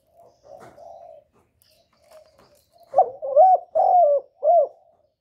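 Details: Lure spotted dove cooing: faint, muffled low coos at first, then a loud phrase of four hoarse hoots, the longest sliding slightly down, ending on a short arched note.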